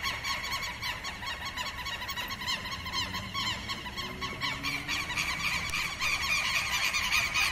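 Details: Southern lapwing alarm call against intruders or predators in its territory, given day and night in marshes and pastures: harsh, strident notes repeated rapidly, about three or four each second, over a steady background hiss.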